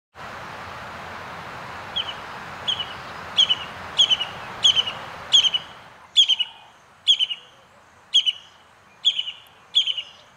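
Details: Brown-hooded kingfisher calling: short high whistled notes with a stuttering trill, in clusters every half second to a second, following about six seconds of steady broadband hiss.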